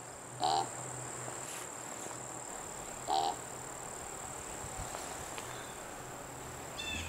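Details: Fall recording from Algonquin Provincial Park, Ontario, where a male, female and juvenile spruce grouse feed together; two brief harmonic notes about two and a half seconds apart, with a constant high whine and faint ambient noise.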